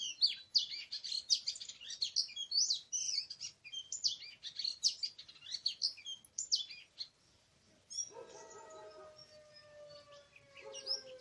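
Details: Wild Oriental magpie-robin in a forest on 24 March 2017, recorded during a bird-trapping outing; rapid, varied high chirps and twittering phrases for about seven seconds, then a steady humming drone with fainter chirps.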